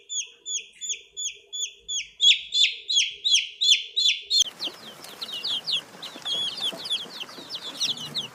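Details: Baby chicks of the domestic hen peeping: a rapid, regular series of bright descending chirps, about three per second, shifting into a denser, noisier chorus of overlapping peeps in the second half.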